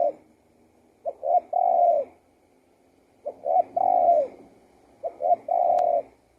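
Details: Spotted dove song: three mellow coo phrases about two seconds apart, each a pair of brief clipped notes then a sustained, slightly falling coo. The background is quiet apart from one faint click.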